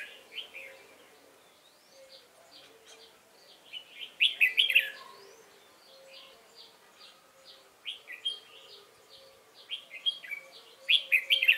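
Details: Red-whiskered bulbul, a wild-caught young bird, in competition singing on 22 October 2018: loud warbled bursts near the start and again at the end, separated by steady, rapid, thin chirping from other birds.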